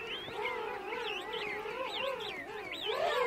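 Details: Close-up of adult king penguins calling in a colony of adults and chicks at Right Whale Bay: loud, wavering trumpet-like calls, rich in harmonics and warbling steadily up and down, with other colony birds calling behind.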